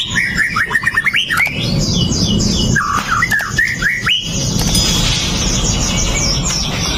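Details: Fighting white-rumped shama of the Pastol type, recorded on a Xiaomi Note 8 Pro as a provoking song for other males. It opens with a rapid series of stacked chirps, then loud slurred whistles, and ends with high buzzy trills over background hiss.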